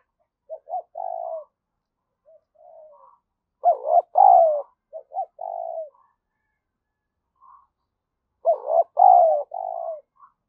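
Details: Spotted dove cooing as a lure to stimulate rivals: low mellow phrases of two quick notes and a drawn-out falling coo, repeated at intervals of about four seconds with faint soft notes in between.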